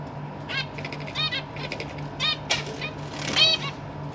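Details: Zebra finches in a large cage, parents with fledglings practising their wings, December 2023: dense runs of short nasal calls from several birds, with sharp wing flutters and a steady low hum.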